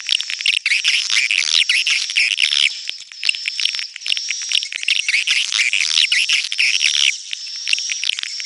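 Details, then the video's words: Swiftlets heard in a neutral-style recording: a dense, unbroken wash of shrill chirps and buzzy twitters, with a steady high ringing tone running throughout. "SUARA BURUNG WALETNETRAL soUND"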